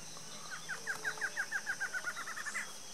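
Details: ['A mated pair of Barred antshrikes duets in Brazil: a bouncing run of about fifteen nasal notes that accelerates into a tight rattle and finishes with a higher flourish. Low hum and a high steady tone sit underneath.']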